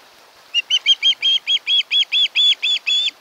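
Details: Nesting osprey on Kent Island, Maryland, recorded by a nest camera in August 2018: a steady series of about twelve bright, whistled chirps, roughly two per second.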